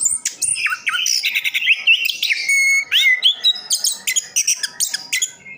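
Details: Caged orange-headed thrush from Sidoarjo, East Java, in full continuous song: rich varied phrases of whistles, slurred rising and falling notes and rapid chattering mimicry, delivered without pause.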